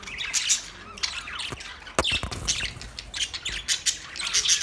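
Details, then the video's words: Bright, clipped chirps and buzzy squeaks from a pet budgerigar come in irregular bursts, with a few sharp clicks, and grow livelier toward the end. "My beautiful Australian Parrot Bird Chirping sound"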